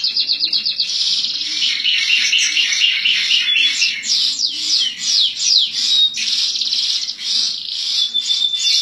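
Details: Contest-winning master canary singing while sunbathing, a bird kept in regular sun and given vitamins; continuous loud rolling trills and rapid high chirps run without pause, with a faint low rhythmic background sound.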